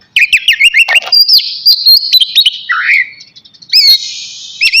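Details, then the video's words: Oriental magpie-robin, navy type, singing before bathing: rapid repeated rising chirps, a long sustained high whistle, a lower gurgling slur, then more whistles. "KACER NAVY GACOR SIAP MANDI"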